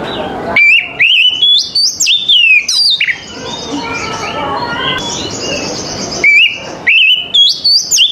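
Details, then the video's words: Morning song of an Oriental magpie-robin: bright whistled notes rise and jump in quick bursts, then a quieter pause with softer chirps, then the loud sliding whistles return. "TERAPI KACER PAGI HARI"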